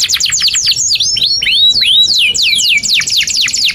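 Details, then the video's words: Canary's energetic tutor song for young birds: quick cascades of sharp downslurred chirps alternating with swooping whistled arcs, continuous and bright. "Kenari GACOR PANJANG INI Cocok untuk Masteran KENARI PAUD dan Kenari Macet"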